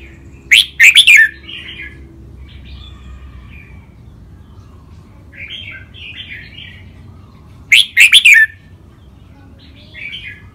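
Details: Two caged red-whiskered bulbuls kept for singing contests, recorded for song training: two loud rapid bursts of ringing whistled notes about seven seconds apart, with softer warbling chatter between them.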